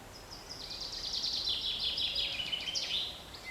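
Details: Distant dawn-chorus-like blend of high, thin bird songs in a forest on 7 May 2020, merging into a continuous shimmering trill with soft background hiss.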